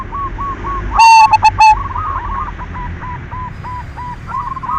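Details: Silver zebra dove lure song to encourage other doves to sing: a brief loud volley of four clipped notes early on, then a long run of soft, rapidly repeated cooing notes.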